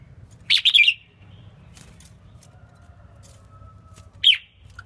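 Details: Female red-whiskered bulbul, whose song is played to stimulate males, utters a rapid warbled phrase, then a single sharp chirp near the end, with a faint steady tone between.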